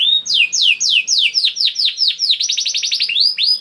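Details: Canary song for prompting caged canaries to sing: a series of descending swooping whistles, each about a quarter second, speeding into a rapid rattling trill and ending on a rising whistle.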